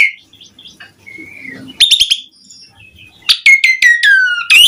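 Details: Asian pied starling singing to stir other starlings to answer: quiet opening whistles, then bursts of harsh clicks and a run of loud descending whistled notes with rich harmonics.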